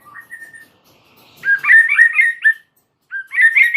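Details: A lone white-rumped shama in energetic song: soft whistled notes open, then a loud, rapid tumble of warbled whistles, a pause, and another quick burst.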